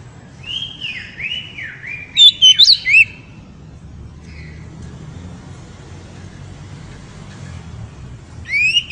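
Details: Oriental magpie-robin (kacer) singing loudly to excite a female: a few slurred whistled notes near the start, then a quick burst of sharp, high chirps around two seconds, a long quiet stretch, and one rising whistle at the end.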